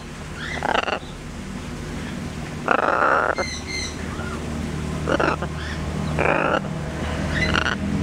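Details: A pet female blue-and-gold macaw, playing and being tickled by her owner, gives short, harsh bursts of mimicked laughter about once a second, with the owner's laughter in between and a low household hum.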